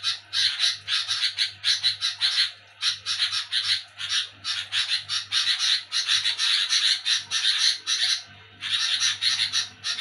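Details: Sooty-headed bulbul chattering loudly after dark: fast series of rasping, noisy notes in long runs, broken by short gaps around three and eight seconds, a soft low hum underneath.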